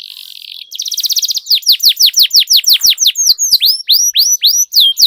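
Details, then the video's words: Long rolling canary song meant to make other canaries sing: a soft buzzy note, then a fast pulsing trill, then a loud series of sharp downslurred whistles with ringing high overtones, repeated rapidly. "Suara Pancingan Burung Kenari Agar Cepat Gacor dan Ngerol, Masteran Suara Kenari Ngeroll Panjang"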